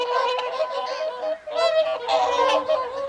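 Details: Evening feed of whooper swans on the Folly Pond at WWT Caerlaverock, January 2023: dense, continuous chorus of nasal honking calls from a large flock, with a brief dip before the calling surges again.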